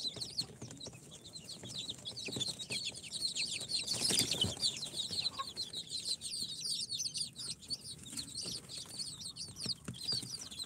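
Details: Incubator-hatched chicks on their fourth day, Sultan, Golden Sebright, Cochin and booted breeds together, keep up a steady high-pitched peeping chorus of countless short cheeps, interrupted around the middle by a louder rustling, scraping noise.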